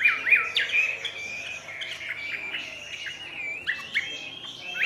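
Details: A caged Chinese hwamei with "ngũ trường" singing: fairly quiet, repeated sharp upward-sweeping notes and short whistles, widely spaced, with a louder note near the close.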